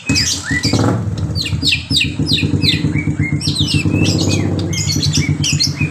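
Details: White-rumped shama singing with borrowed notes of lovebird and canary; fast sweeping whistles and squeaky chirps in rapid series over loud, droning low-pitched mechanical noise.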